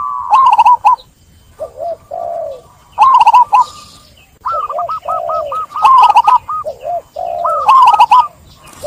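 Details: Zebra dove (perkutut) song in repeated phrases, each a fast string of bubbly trilled notes with low wavering coos in between, the phrases following every second or two.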